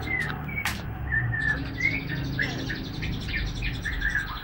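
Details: ['About three months old, a young Medan white-rumped shama tries out its song: clear, mid-pitched whistled notes, several gliding slightly, spaced through the recording, with a sharp click early on and a steady low hum beneath.']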